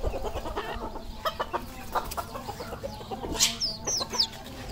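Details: Red junglefowl on a farm in Cambodia: short, scattered clucking and chirping notes, with a brief cluster of high, sharp calls near the end, over a steady low background rumble.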